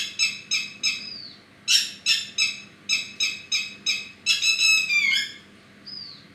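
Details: Bird giving high, harmonic chirped notes in short regular series, with a downslurred whistle between bursts and a final quick tumbling run, clear over a quiet background.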